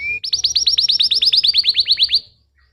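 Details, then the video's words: Canary song for prompting young canaries to sing: a short steady whistle, then a regular series of about eighteen bright downslurred notes delivered evenly before fading away. "PANCINGAN KENARI BAHAN Ampuh & KENARI PAUD MALAS BUNYI"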